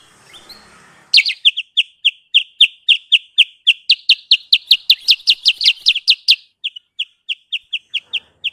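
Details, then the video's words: Lure call of the sooty-headed bulbul, known as kutilang sutra, used in trapping: a soft hiss, then about 20 loud, evenly spaced high chirps, thinning out into softer notes at the end. "Suara pikat Burung Kutilang sutra"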